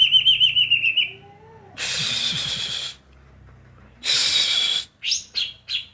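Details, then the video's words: Banyuwangi greater green leafbird, song filled with kapas tembak: a rapid series of bouncing whistled notes, then two long harsh buzzy chatter bursts separated by quiet, and a few clear high whistles at the end. "Cucak ijo banyuwangi isian kapas tembak"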